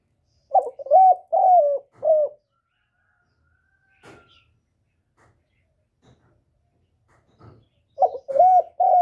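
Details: Spotted dove calling to stir other doves into calling back: a short cooing phrase of low, mellow hoots, then near silence with a few faint clicks, and the hoots resume at the end.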